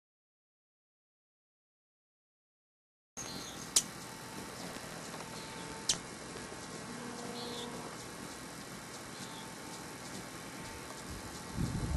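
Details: Silence for three seconds, then a low steady background hum with a few sharp clicks and faint murmuring, and no clear animal voice.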